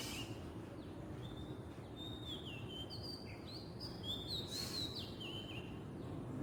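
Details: Oriental magpie-robin in the wild singing a flowing phrase of clear whistles with short falling slurs, fairly soft, over persistent low outdoor background noise.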